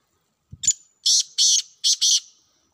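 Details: Wild black francolin giving a harsh, grating phrase: a short buzzy note, then four loud rasping notes in two pairs, all high and broadband, over about two seconds, with a brief low thump before it.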